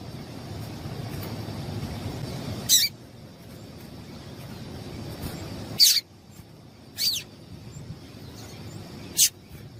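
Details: Female double-collared seedeater calling so that males sing: four isolated, sharp, high chip notes spaced two to three seconds apart over a soft low background hiss.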